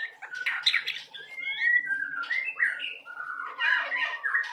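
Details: Young white-rumped shama in rich varied song: bright whistled slurs rising and falling, mixed with harsh buzzy chatter and squeaky notes, delivered in a continuous, lively stream.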